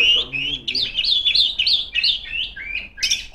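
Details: Female Oriental magpie-robin singing loudly in the vigorous ngeplong style to call rivals: a run of clear, bright whistled notes, each slurring up or down, repeated about four times a second, ending in a sharper burst.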